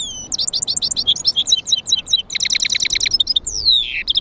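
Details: Goldfinch-canary hybrid song: continuous quick twittering of high, sharp chirps and downslurred notes, a brief fast trill in the middle and a lower slurred note near the end.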